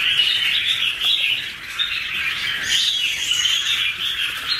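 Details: Two red-whiskered bulbuls sing together in a 2016 recording, giving busy interwoven chirps and short slurred whistles, one brief rising note standing out near the middle.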